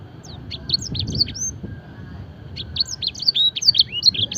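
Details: Fancy canary singing training song with blackthroat and edel sanger fill. A burst of sharp high notes opens, then a quiet gap, then a faster run of clipped whistles and sweeps returns.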